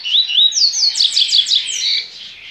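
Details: Captive Bahian double-collared seedeater at a licensed breeder: rising whistled slurs, then a rapid string of five or six steep downward-sweeping notes and a short sustained tone, all loud and clear.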